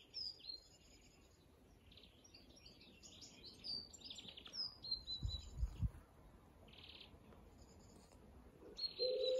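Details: European greenfinch (Chloris chloris) song: quick, twittering high chirps and short trills, with a few low thumps of wind or handling noise.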